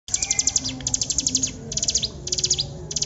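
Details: Hill prinia singing actively in long 'tembakan panjang' bursts: rapid trains of high, sharp ticking notes sweeping downward, packed in quick phrases separated by brief pauses, with a faint low hum beneath.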